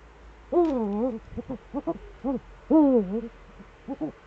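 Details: Two Eurasian eagle-owls, both back in the Eifel, Germany, on 11 March 2013 at 18:47: two pairs of hoarse, wavering harmonic calls about half a second long, separated by short clipped notes and soft clicks.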